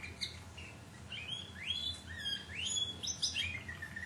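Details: Timbrado canary from a Greek club's 2009 team, quieter passage of quick upward-sweeping chirps repeated about twice a second, over low background hum.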